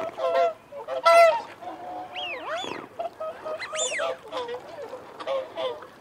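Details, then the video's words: Whooper swans giving feeding and territorial calls among wigeon and mute swans: loud, nasal, harmonic honks, some in quick pairs, mixed with high rising-and-falling whistles and a background of softer flock chatter. "Whooper Swan. Feeding Calls & Territorial Calls"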